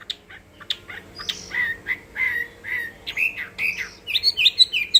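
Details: Chinese hwamei singing in contest style: varied whistled phrases, short sharp notes first, then a run of slurred mid-pitched whistles and a quick burst of bright, high trilled notes at the end.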